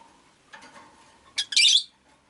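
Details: Caged Rosy-faced lovebirds, five birds kept beside a window with street noise drifting in; a soft burst of chatter is followed by a loud harsh squawk lasting about half a second.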